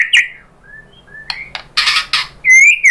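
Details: Brief white-rumped shama song used to draw replies from other shamas: a whistled slur, soft low notes, harsh rasping bursts, then a loud falling whistle.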